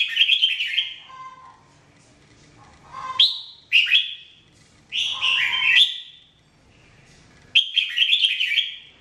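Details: Red-whiskered bulbul, called Jambul, singing in a 2017 training recording; about five brisk whistled phrases of slurred, bouncing notes come at irregular intervals, some joined by a lower softer note.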